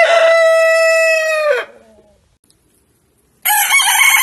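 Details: Rooster crowing: a long, loud, even crow with a steady pitch that fades into silence, then another harsh crow begins abruptly.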